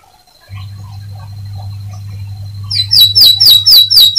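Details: Atlantic canary singing to spur other canaries into song: a low steady electrical hum, then a fast series of high, bright, repeated downslurred whistles about four per second.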